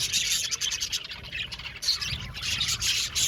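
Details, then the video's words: Flock of budgerigars in a colony aviary producing a gritty, buzzy chatter of high chirps, loud and continuous with small dips in volume. "Beautiful Budgies chirping sound | Budgies talking sound | budgies parakeet sounds"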